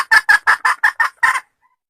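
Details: Forest hen of the red junglefowl cackling loudly, seven rapid, harsh clucks in under a second and a half, the last note doubled, then silence.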